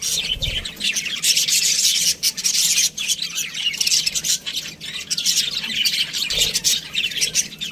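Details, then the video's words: Busy budgerigar chatter, a steady wash of high, scratchy chirps and warbling twitters throughout, with soft low bumps at the start and near the end. "budgie chirping sounds | parakeet sounds"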